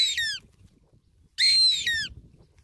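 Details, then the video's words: Goshawk said to be singing: two loud, harsh, harmonic screams, each sliding downward, the first short and the second longer and fuller, with a faint low rumble between them. "Goshawk Singing{Tiếng chim ưng hót véo von}"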